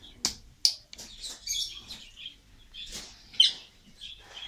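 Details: African grey parrot in a pet store, heard indoors: sharp click-like pops and short, high, chirpy whistles in irregular bursts, with brief quiet gaps between them over a few seconds.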